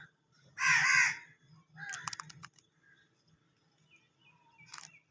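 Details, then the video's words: Birds at a haveli: a loud, harsh, crow-like caw opens, followed by shorter rough calls and a few faint high chirps over a low steady hum. "Birds chirping a beautiful sound of birds in hawelli"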